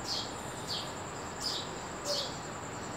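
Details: Sparrow chirping in the early morning, four crisp short notes roughly every half second to second, against a continuous high-pitched whine.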